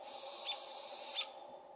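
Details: Juvenile barred owls in a British Columbia forest call for their busy parents. One long, harsh, hissing rasp lasts over a second and rises slightly in pitch before stopping abruptly. A faint chirp sounds faintly in the background.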